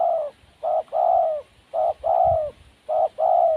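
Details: Wild spotted dove calling close and clear: repeated paired phrases, a short coo followed by a longer, gently falling coo, three pairs in quick succession.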